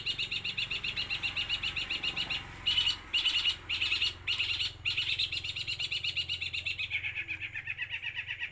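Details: Eight-month-old long-tailed shrike from Jember, East Java, kept as a songbird, delivering a nonstop mimicked song: dense rapid trilling chatter broken into short bursts in the middle, with low background hum.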